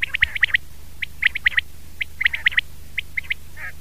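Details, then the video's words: Common quail calling: sharp, clipped whistled notes in quick triplets, each burst repeated about once a second, bright and ringing, with a faint low hum underneath. "Batair ki Awaz , Batair Sound vol 33 , Common Quail Sound"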